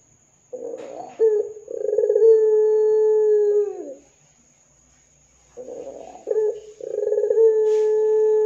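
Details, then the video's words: Ringneck dove lure coo for prompting other doves: two phrases separated by silence, each a rough stuttering lead-in, a sharp flick, then a long level hollow coo, the first falling away at its end. "Pancingan Suara Burung Puter Gacor Dor 100% Cocok Bikin Puter Lain IKUTAN BUNYI"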